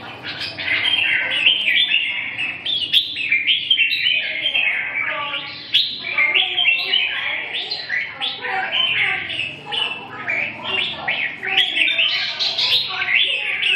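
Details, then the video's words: Red-whiskered bulbul in sustained song: long stretches of rapid, jumbled whistled notes with rising and falling slurs, phrases running almost without break, faint clicks and low hum behind. "Kênh về chim Chào mào"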